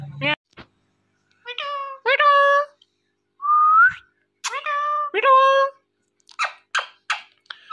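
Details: Indian ringneck parrot kept as a pet, talking: sharp clicks, a rising whistle, several harmonic meow-like phrases in bursts, then quick chattering notes near the end.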